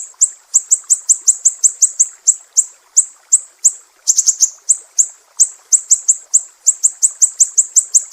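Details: Mangrove whistler from Sumatra giving sharp, piercing besetan, recorded as a master track for training songbirds: rapid high, thin downslurred notes repeated almost continuously, about three per second, with faint low murmur underneath.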